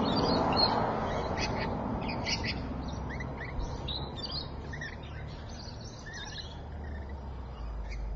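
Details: Rainbow lorikeets at Evans Head, 26 May 2012 at 3:45 PM: rapid strings of short, shrill, rasping squeaks and screeches, several per second, with low rumbling noise loudest at the start.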